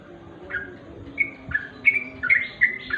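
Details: Sooty-headed bulbul at dusk giving a handful of separate chirpy notes, spaced out at first, then closer together and louder toward the end.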